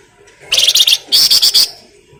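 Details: Flamboyan bird in full song, played as a lure to get other birds singing: two back-to-back rapid buzzy trill bursts, each about half a second, high-pitched and stuttering, with a quiet background.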